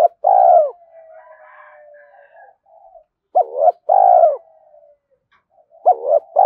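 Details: Spotted dove cooing used as a fast decoy call to attract wild doves; groups of low hooted notes each ending in a longer falling coo, repeated roughly every three seconds with faint hum between.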